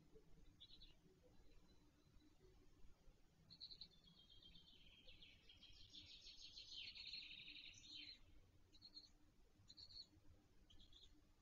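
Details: At a Polish nest in Wolsztyn on 17 June 2024, a late-hatched black stork chick gives short buzzy notes building into an extended grating wheeze of about four seconds, with faint chirps before and after, low background noise.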